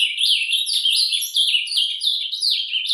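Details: An Ultramarine grosbeak (azulão) sings a soft, continuous warbling subsong ('surdina') in nature, with rapid, high, twittering phrases that rise and fall without pause.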